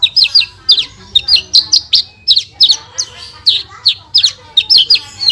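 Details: Javan bush lark song from Indonesia in the 'gacor full tembakan' style for training kept birds: clusters of quick, sharp, downslurred high chirps in rapid bursts, separated by brief gaps, over a quiet low hum.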